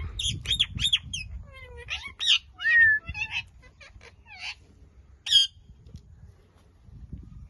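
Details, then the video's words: Indian ringneck, or rose-ringed parakeet, gives harsh, ringing squawks: three quick screeches in the first second, then varied squeaky notes, a drawn-out mid-pitched squawk near three seconds and one last sharp shriek, over a low rumbling background. "Indian ringneck parrot sounds"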